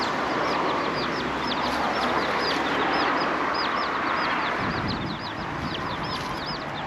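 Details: Many chicken chicks on fenced wasteland in Magaluf, Mallorca, on 31 December 2023 in windy weather give high, thin peeps in rapid overlapping series, about three per second, over strong wind noise.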